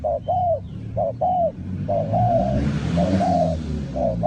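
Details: Spotted dove calling to lure wild doves for trapping. Paired low coos repeat steadily while a rushing noise swells midway and partly covers them, with a low rumble throughout.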